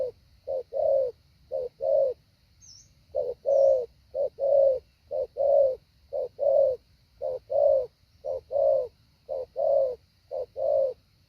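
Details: Training decoy spotted dove delivering a 'hạ bổi' call: paired low coos, a brief note followed by a drawn-out one, repeating about once a second, with two faint high chirps from another bird early on.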